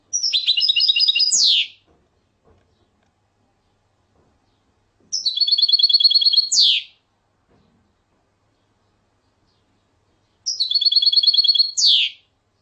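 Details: European goldfinch song given as three separate short phrases about five seconds apart. Each is a fast burst of high, tinkling twitters ending in a steep falling buzz, with silence between bursts.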